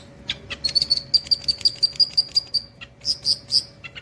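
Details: Long-tailed shrike mimicking the cililin with a fast, slightly uneven series of thin high piping notes, close to three per second, followed by a few louder emphatic notes.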